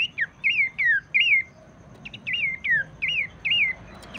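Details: Abbott's babbler song used as a lure to spur other babblers into singing: a run of about eight clear, slurred whistles that dip and rise, each roughly a quarter second long, given in quick succession with short gaps.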